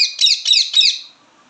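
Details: Indian ringneck parakeet giving three loud, harsh chirps in quick succession, each a buzzy, slightly descending squawk with strong overtones, fading into quiet at the end.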